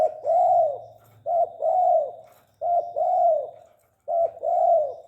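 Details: Tame spotted dove cooing: four paired phrases, each a short clipped note followed by a longer, arched, mellow coo, repeated roughly every 1.3 seconds, with a faint low hum underneath.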